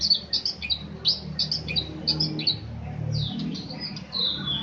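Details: Magpie-robin song of high, rapid, chattering and whistled notes in quick clusters, with a brief low rumble partway through.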